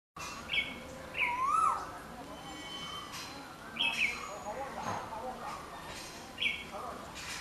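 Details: Whistled calls of a yellow-footed green pigeon. A fluty rising-and-falling note is followed by scattered short higher chirps, irregularly spaced, against faint background hiss.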